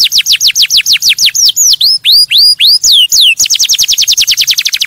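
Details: Canary song meant to stimulate other birds, a run of rapid downslurred whistled notes, then slower loud sweeping swoops rising and falling, ending in a quick repeated high trill.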